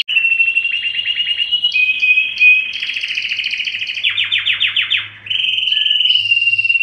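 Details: ['Mating-stimulation song of a canary. Continuous rolling trills shift between pitches, with a pure sustained whistle and a series of steep descending swoops. A faint low hum runs underneath.']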